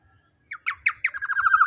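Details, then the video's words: Black-naped oriole song used as a lure to provoke rival birds into calling: a few short, mellow whistled notes, then a quickening run of fluty phrases building in loudness, over a quiet background. "Pancingan Suara Burung KEPODANG EMAS Gacor Lantang Bikin Lawan Ikut Emosi & Bunyi"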